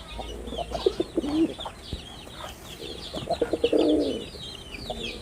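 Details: Male red-bordered wild pigeon cooing while performing: low, rolling coos that swell and fade, two main phrases about two seconds apart, with busy high chirping of small birds throughout.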